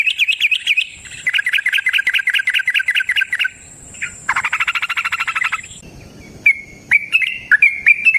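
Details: Wild yellow-vented bulbul: long bursts of rapid trilled chatter, a pause, then a few clear separate whistled chirps toward the end, with a steady high-pitched whine behind much of it.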